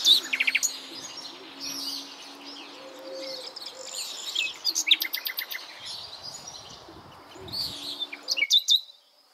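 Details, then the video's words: Common nightingale singing conspicuously in shaded areas where orchids are in flower: short bursts of rapid, repeated high notes and chirps over a busy chorus of other songbirds, with a faint low steady hum beneath. "El Ruiseñor Común canta"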